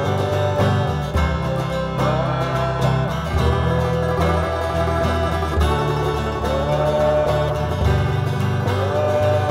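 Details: Steady banjo and guitar music plays throughout, with no animal voices audible.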